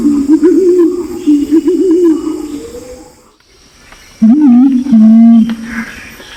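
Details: Male and female Pinon's imperial pigeon calls used as a lure, Nabire, Papua, Indonesia: low, wobbling moaning coos held for several seconds, a gap, then a stronger steady coo with a rising start.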